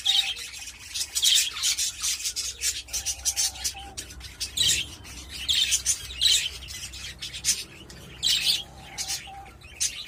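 Budgerigars chatter in bursts of scratchy, high warbling notes, with short repeated chirps and a few brief clear whistles between them.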